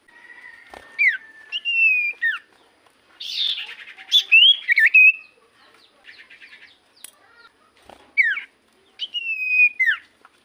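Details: Common iora singing, used as a lure to make other birds respond; a thin steady whistle, downward slurs, a buzzy burst with twisting notes, then drawn-out whistles that drop at the end.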